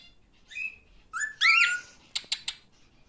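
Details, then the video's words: Male pet cockatiel giving a short whistled note, then a longer rising-and-falling whistle, followed by three sharp clicks, in a small room. "Erkek Sultan papağanı sesi"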